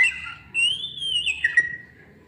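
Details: Lure song of an Oriental magpie-robin, played to provoke other birds to sing: one long, sweet whistle that swells and wavers, then drops to a lower sustained note with a brief click.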